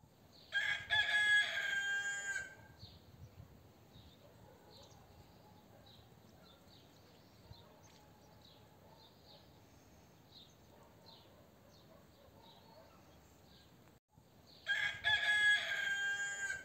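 A rooster gives two loud, harsh, drawn-out crows, with soft chirping of small birds in between.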